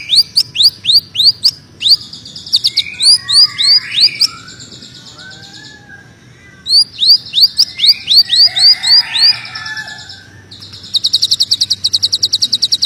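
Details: Greater green leafbird in full, dense song likened to a magpie robin, a training recording for songbirds: bursts of quick, sharply upswept notes repeated several times a second, broken by short pauses and lower warbles, ending in a fast buzzy trill.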